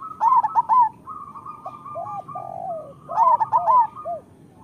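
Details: A local zebra dove's master song for luring quiet doves into song. Two bursts of fast, bubbling staccato coos are separated by drawn-out, slurred cooing notes, over a thin continuous trill.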